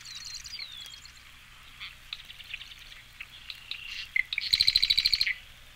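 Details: Long-billed Marsh Wren from an eastern birds collection: after scattered soft clicks and gurgling notes, one rapid, buzzy, rattling trill of about a second ends the passage, with a thin descending whistle from another bird at the start.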